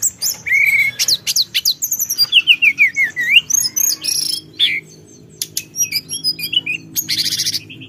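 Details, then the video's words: Mountain forktail (tledekan gunung) calling to provoke rivals: rapid varied phrases of high whistles, sliding notes and sharp chips, some notes wavering, with buzzy bursts near the end. "suara tledekan gunung memancing emosi lawan"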